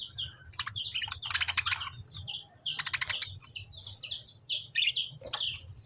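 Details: Lovebird chirping: quick high downslurred chirps mixed with loud clattering bursts of harsh, broadband noise, over a soft low hum.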